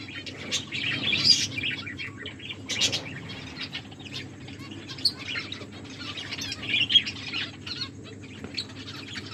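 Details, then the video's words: Finches kept as pets chirp while feeding, giving scattered bright high chirps in small clusters separated by quieter gaps, over a soft low hum and occasional rustling. "My beautiful finches eating and enjoying finches chirping sounds"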